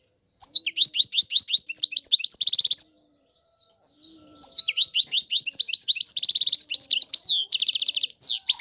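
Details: European goldfinch singing continuously: quick series of high, bright, descending chirps run into fast buzzy trills, with a brief pause midway before the twittering phrases resume.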